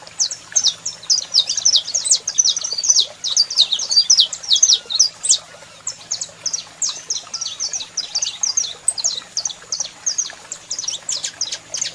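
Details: Saffron finch male sings a lot, a steady stream of bright, high, chirpy notes with barely a pause, while a female calls; faint low hum.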